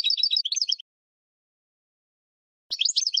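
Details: Short burst of European goldfinch song in spring, from a training recording for cage birds: under a second of quick, high twittering, nearly two seconds of silence, then another lively twitter.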